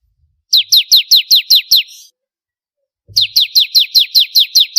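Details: Contest-training song of a bar-winged prinia, two rapid strings of seven to eight crisp, high descending chirps, the first trailing into a brief buzzy tail, with a short gap between bursts.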